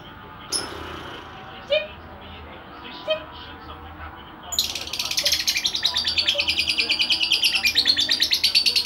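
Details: A 2.5-month-old lovebird described as aggressive. A few faint, scattered chirps are followed by a sudden, loud, high-pitched chattering burst of fast repeated notes that continues steadily to the end.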